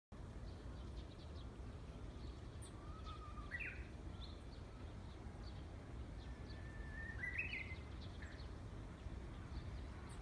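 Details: Wild Japanese bush warbler singing two phrases, each a steady whistled note that jumps up into a short, brighter flourish, over a constant low rumble of distant traffic.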